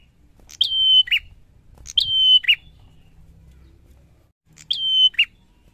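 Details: Bar-winged prinia song, three phrases: each a crisp high onset, an even drawn-out whistle, then a dropping rough final note. The first two are close together and the third follows after a longer gap.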